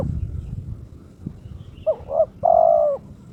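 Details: Caged turtle dove in breeding condition issuing a challenge call to a rival: after low noise and a faint click, a quick doubled coo then a long steady drawn-out coo.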